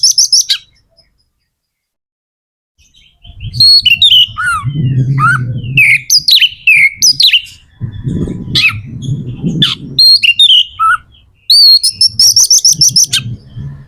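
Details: Magpie-robin (kacer) in energetic varied song meant to spur other kacer into singing: a jumble of whistled slurs, rattles and sharp notes, with low background rumble.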